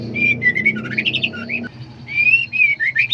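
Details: Female white-rumped shama in heat seeking a male: a run of whistled, rising and falling notes with short warbled phrases, a brief pause, then more clear whistles over a steady low hum.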